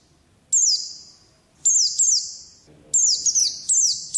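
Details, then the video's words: Ringing, high descending notes from an Oriental white-eye in the ngalas song style, given singly or in pairs with long echoing tails, spaced about a second apart. "Suara Burung Pleci Ngalas Burung Kacamata Durasi Panjang"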